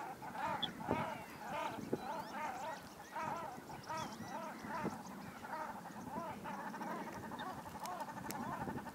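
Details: Common shelducks quarrelling during the breeding period after coming too close to each other: rapid, repeated nasal, honking calls in quick series, several birds overlapping, with a low background rumble.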